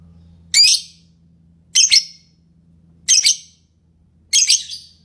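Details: Lovebird giving shrill, harsh chirps in short bursts, four calls spaced about every 1.2 seconds, with a faint low hum underneath.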